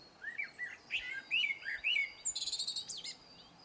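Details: Blackbird delivering several rich, slurred whistled notes in quick succession, ending in a fast, high, scratchy twitter repeated about ten times.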